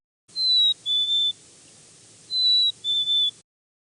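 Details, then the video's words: Black-capped chickadee song, remembered as 'cheeseburger, cheeseburger': two clear whistled phrases, each a long high note followed by a slightly lower note split in two, with a quiet pause between them and a clean background. "For example here, our little friend the black-capped chickadee sounds like it's saying, "Cheeseburger, cheeseburger.""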